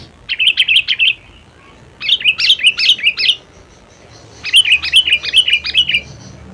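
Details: Sooty-headed bulbul song: three rolling phrases of five to seven quick, bouncy notes each, lively and slightly warbled, with short gaps between phrases.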